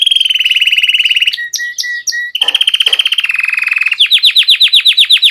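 Belgian canary singing: long, fast rolling trills on a steady high pitch, a few clipped two-part notes, then a run of rapidly repeated downward sweeps.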